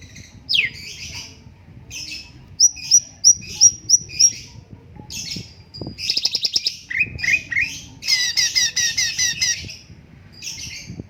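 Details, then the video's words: An orange-spotted bulbul singing vigorously on a master recording made for tutoring birds: a varied mix of rising whistles, a row of five short clipped notes, then harsh chattering bursts and squawky, rapid phrases, over a faint low background hum. "BURUNG CUNGKOK MASTER SUARA BAGUS"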